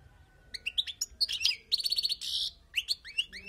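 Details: Wild European goldfinch song for tutoring: scattered liquid chirps build into a dense run of high twittering and a buzzy rasp, followed by several upward-curving sweet notes.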